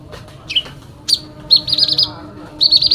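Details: Brief burst of fighting song from a sooty-headed bulbul: a couple of sharp chirps followed by two fast, buzzy rattling trills.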